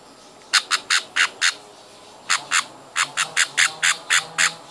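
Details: Baby budgies being hand-fed give two bursts of loud, rasping begging squawks, five then eight calls at a brisk pace, separated by a short quiet gap.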